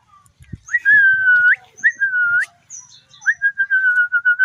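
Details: Tame common iora in lively song: loud sustained whistles that dip and hold before sweeping up at the end, then a run of pulsed whistled notes on one pitch.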